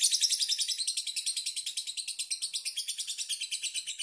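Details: A young caged lovebird gives a continuous, rapid, raspy chatter, pulsing about three to four times a second without pause, high-pitched and harsh, with no other sounds.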